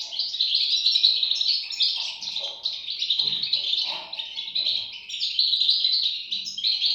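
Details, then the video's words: European goldfinch chicks keep up a constant, high, squeaky chatter of overlapping chirps that rise and fall slightly in loudness throughout. "صوت فراخ طائر الحسون"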